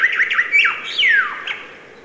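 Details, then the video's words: Brief bird phrase: a few quick high chirps and a clear falling slur, followed by one more short sharp note, with faint steady hiss behind. "Beautiful and relaxing bird chirping sound"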